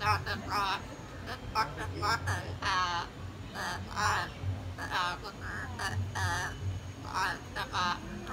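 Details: Chatty hyacinth macaw, San Diego Zoo Safari Park, February 21, 2021, producing a run of rapid wavering, voice-like syllables in clusters about every second, some drawn out and warbling, with faint low rumble underneath.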